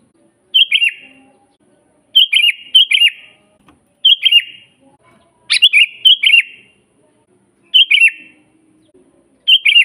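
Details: Sooty-headed bulbul master song for training birds: a string of cheerful bubbly whistled phrases, some doubled, repeated every second or two over a quiet background.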